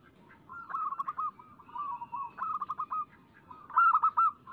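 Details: Cooing song of a local zebra dove from a lure track: a run of quick stuttering notes rolling into smooth tones, repeated in linked phrases and ending in a louder cluster of pulsed coos.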